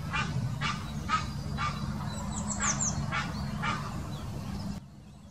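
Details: An Egyptian goose gives its mating call in the Wittlicher Senke, Germany, in 2018: harsh, husky honks about twice a second over a steady low rumble of background noise.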